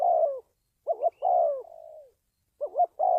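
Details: Spotted dove call used to train decoy birds and lure wild doves into traps: a long falling coo, then a quick two-note rising hiccup and another drawn-out descending coo with a soft trailing tail, repeated once more, against silence.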